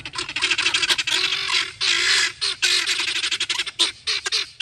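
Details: Free-range guineafowl in their everyday behaviour, several birds calling loudly together in a dense, harsh, rasping chatter of rapid overlapping bursts with only brief pauses.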